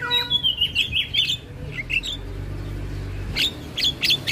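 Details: Black-winged starling song meant as training audio for other songbirds: a run of sliding whistles and chirps, a short pause, then sharp squeaky bursts, with low background hum.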